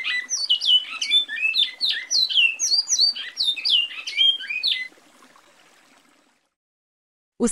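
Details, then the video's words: Bicudo, the Great-billed Seed-finch, giving a lively rippling warble of fast slurred whistles for about five seconds, then falling silent, with a brief low thump at the very end. "O primeiro da lista, é o canto do pássaro bicudo (Sporophila maximiliani)."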